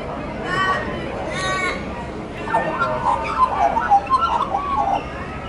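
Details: A magpie in Centennial Park, Sydney, Australia gives two brief nasal notes, then a run of mellow, fluty warbling phrases that wobble up and down for a few seconds against a quiet outdoor background.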